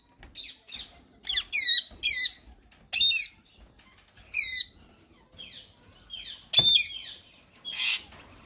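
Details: Rose-ringed parakeets, a white male ringneck and a green one, in talking mode: bursts of sharp downward-sweeping squawks, some in quick pairs, separated by short pauses and faint chirps.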